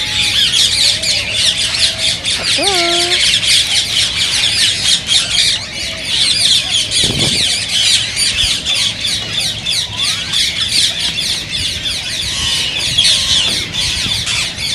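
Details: Green ringneck parakeets heard as a stimulating sound for singing and mating: relentless shrill chattering and rapid squawks from a crowd of birds, with a short lower call from another bird early on.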